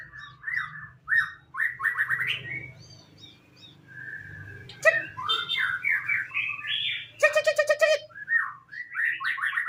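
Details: Caged white-rumped shama in moult, tail 22 cm, delivering a varied song of whistled phrases that rise and fall. Buzzy chattering bursts are mixed in, over a faint low background hum.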